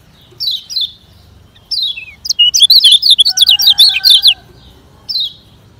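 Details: Lemon-bellied white-eye, known in Lombok as kecial kuning, in fast 'ngejoss' training song: a few spaced downslurred whistles, then a dense burst of high rapid notes over a faint steady lower tone.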